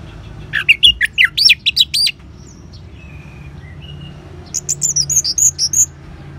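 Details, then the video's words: Orange-headed thrush ngeban song used to spur caged birds into singing: a quick string of rising and falling whistled notes, a few soft faint calls, then a high rapid twittering sequence. "Suara Ngeban Untuk Pancingan ANIS MERAH Jitu Membuat Burung Gacor"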